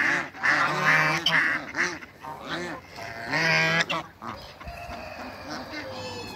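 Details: Group of seven African geese kept on a waterbird farm in Greece: bursts of harsh, trumpeting honks from several birds, fading after four seconds into quieter murmured calls and background noise.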